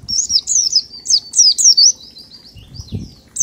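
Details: Oriental white-eye in the ngalas song style, played as a lure to set other birds singing: a fast, continuous string of high, thin, falling chirps, about two per second, with brief rustling below.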